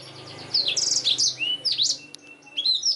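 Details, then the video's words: Lively black-throated canary in a recording made to train canaries, giving a short burst of bright trills and slurred whistles after a quiet half-second start, with brief gaps between phrases. "BLACKTHROAT GACOR SUARA JERNIH UNTUK MASTERAN KENARI"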